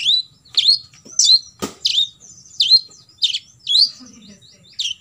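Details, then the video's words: Olive-backed sunbird giving 'tembakan isian' shot-style song, meant as a model for competition sunbirds to copy: loud, high, hooked notes that sweep down, repeated roughly every half second, with a single sharp click midway. "KOLIBRI NINJA (KONIN) FULL TEMBAKAN ISIAN"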